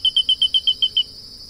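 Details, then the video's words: Grey-breasted crake song: a rapid series of eight short, high, even notes, about eight per second, slightly falling in pitch toward the end, over a steady high insect drone. "CANTO DA SANÃ DO CAPIM (Laterallus exilis)"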